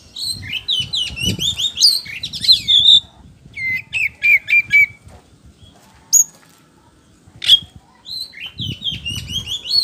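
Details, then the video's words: Gacor, ngeplong-style song of a white-rumped shama, played as a lure to make other birds answer. Rapid runs of buzzy downslurred notes, then a flat whistled phrase, then sharp isolated chips separated by pauses. Faint low rumble underneath. "PANCINGAN KACER POCI GACOR NGEPLONG"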